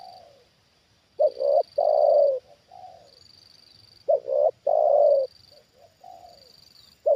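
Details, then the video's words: Trained spotted dove answering a wild bird that has come down a second time: loud low coo phrases roughly every three seconds, each a stuttered double note leading into a long, hollow, slightly wavering coo, with soft trailing notes. "Inilah Reaksi Tekukur Ajaran Di Turunin Burung Liar Untuk Kedua Kalinya"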